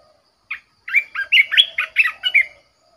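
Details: ['Red-whiskered bulbul used as a caged decoy bird sings a single lead note followed by a rapid, bubbly phrase of about eight warbled whistles, with little background sound.']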